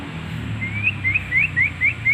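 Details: White-rumped shama giving an unusual song: a series of six short, sweet whistles, each rising sharply at the end, repeated about every quarter second over a steady low hum.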